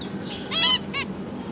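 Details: Zebra finches, a pair raising three juveniles and three newly hatched babies, 12 December 2022: two close, loud nasal honks, the first longer and stronger, the second a short echo, over faint background hum.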